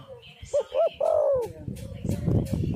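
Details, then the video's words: Spotted dove, known as tekukur, used to lure doves into calling: two short hooked coo notes followed by a longer descending coo, then low rumbling noise. "tekukur super gacor cocok untuk pancingan burung"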